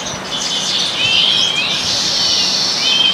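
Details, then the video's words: Baya weavers gathered with other small birds, feeding on grains in a house garden in India; dense high chattering and buzzy chirps from a flock, overlapping continuously, with short whistled notes rising through the chorus. "Baya weaver bird sounds"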